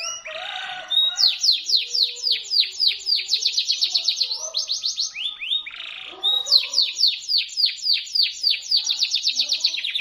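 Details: Local canary singing loud and sharp, played to teach white-rumped shamas and coax lazy canaries to answer: long rapid trills of high, steeply falling notes, interrupted by a short buzzy burst, then the quick trill resumes.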